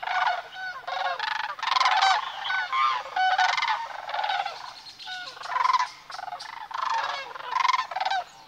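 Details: Migrating sandhill cranes in Nebraska's Platte River Valley near Sutherland on a March morning; a dense chorus of rolling, trumpeting rattles from many birds, calls overlapping almost continuously with pulsing loudness.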